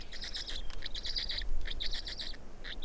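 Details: Black stork chick, the fourth chick, in Estonia on 18 May 2019: rapid bursts of high, harsh squeaky notes run together in quick series, over a steady low rumble.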